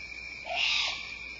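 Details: Juvenile great horned owl, probably begging, heard in the background at Starr Ranch on 15 August 2011: a single harsh, hissing screech of about half a second over a steady high hum.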